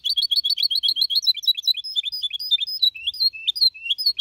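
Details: Goldfinch hybrid aged 4.5 months, singing clean in Malaga copy style, 2021: continuous quick high twittering that shifts into spaced, sliding whistled notes rising and falling.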